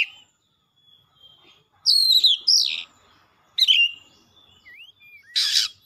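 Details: Fired-up kacer (Oriental magpie-robin) song full of isian fill-ins: a thin steady whistle, a stuttering cluster of high falling notes, scattered upslurred whistles, and a final harsh scratchy burst.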